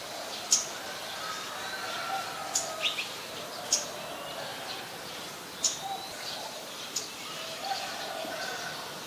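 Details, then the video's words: In Ubon Ratchathani, Thailand, on 5 February 2020, a scarlet-backed flowerpecker utters five crisp, very high, abrupt ticks spaced one to two seconds apart, with faint distant birds and soft rural noise behind. "นกสีชมพูสวน (Scarlet-backed Flowerpecker)"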